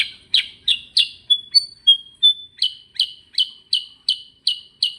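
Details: Rolling ngerol song of a sooty-headed bulbul (kutilang sutra): clear chirped notes rattled off about three per second, interrupted by a few high thin whistles, then an unbroken even series of chirps.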